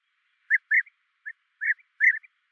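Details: A European bee-eater gives its liquid pipping call, short rolling 'prrip' notes mostly in pairs over about two seconds, against a quiet background.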